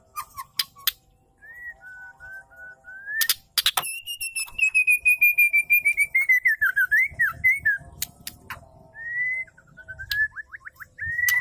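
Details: Female white-rumped shama calling, a sound used to provoke male shamas into singing. Sharp clicks and short slurred whistles open, followed by a long rapid series of harsh, buzzy repeated notes, then more slurred whistles and clicks.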